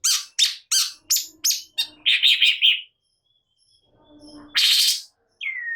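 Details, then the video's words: Long-tailed shrike, agitated: a quick string of rasping clipped notes merges into a buzzy chatter. After a silent gap comes one loud grating screech and a short descending whistled note. "Cendet Malas Bunyi Seketika Naik Emosi Gacor Nembak"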